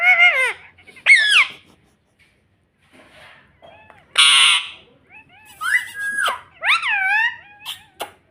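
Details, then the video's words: Pet ringneck parrot talking indoors, saying "mummy": high, nasal, harmonic syllables with wavering upward-swooping pitch, in short bursts between pauses, alongside a person speaking and coaxing it to talk. "Parrot Talking Mummy Mummy || Bolne Wala Tota || Talking Parrot 🦜 Mitthu Mitthu"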